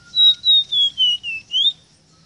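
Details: Ruddy-breasted seedeater, captive, tutor song for teaching birds to sing: six clear whistled notes around high pitch, alternating slightly falling and rising, evenly spaced over under two seconds.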